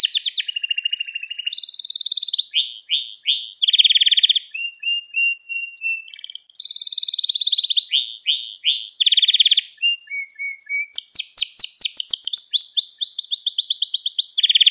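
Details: Varied canary song for teaching young canaries: changing tours of rapid trills, low rolling notes, short whistled phrases and bright sweeping notes, each section repeated quickly before switching, continuous throughout.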